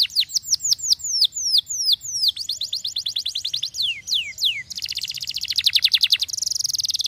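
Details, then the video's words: Canary song of loud, clear whistles, each swooping steeply down, repeated about three times a second, then changing into buzzy rapid trills and a sharp high roll. "Quem disse que o canário preguiçoso não pode soar?"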